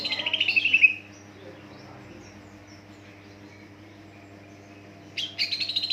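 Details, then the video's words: Lure song of a greater green leafbird, used to set untrained leafbirds singing: a fast bright trill lasting about a second, a long near-silent gap with low hum, then a rasping rapid burst. "pancingan cucak ijo dijamin NYAUT ngikut gacorrrr burung bahan"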